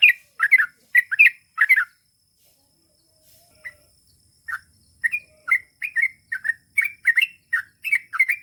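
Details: Trucukan bulbul giving long ropel song in gacor style: clustered sharp chirping notes, a pause of nearly two seconds with single soft notes, then a fast run of bright chirps to the end.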